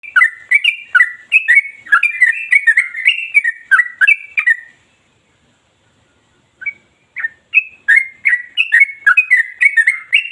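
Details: Yellow-vented bulbul singing nonstop in ropel style, sharp, deep and long, used as a lure for other bulbuls: bubbly warbled phrases of rising and falling notes, broken by a silence of nearly two seconds midway before resuming.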